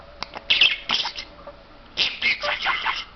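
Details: Talking pet parrot, a mimic of English, German and Turkish words, giving two quick clusters of scratchy, speech-like squawks separated by a short gap.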